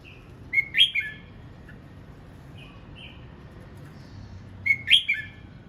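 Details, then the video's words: Red-whiskered bulbul singing as it practises its voice: two short, bright warbled phrases about four seconds apart, with faint brief whistles between them over a quiet background. "Chào mào hót luyện giọng"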